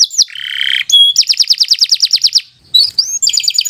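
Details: Canary song in 'gacor' style for tutoring young birds: a buzzy low trill, then a quick sequence of pulsed rising notes, a brief gap, and more sharp chirps.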